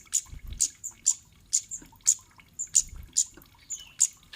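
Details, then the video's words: High, clipped chirps from a kemade, repeated about twice a second, with faint softer echo notes between them. The call is used to prompt other birds to answer and sing. Low rumble underneath. "Burung Cit Kemade Manapun bakal NYAUT dan GACOR"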